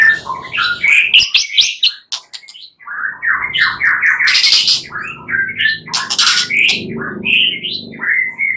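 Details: Dense, energetic white-rumped shama song played at night to stimulate singing: fast harsh chatters, squawky bursts and whistled fragments crowding together over low background noise.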